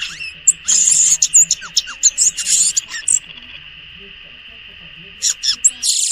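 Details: In the wild, a violaceous euphonia gives bursts of high twittering and downslurred notes over a steady, continuous mid-pitched drone.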